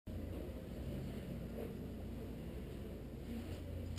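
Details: Continuous low rumbling wind and vehicle-like noise throughout, with no animal voice.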